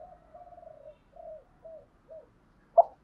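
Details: Decoy spotted dove in thúc gù style: a long low coo followed by three short, evenly spaced, slightly falling coos in near silence, ending with a single sharp knock.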